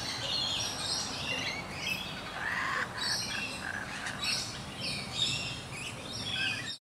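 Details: Wild laughing kookaburras in an eastern Australian backyard around a gum tree, giving chortling, chirpy calls instead of their laugh; scattered rough notes and bursts among high chirps of other birds, with steady background noise.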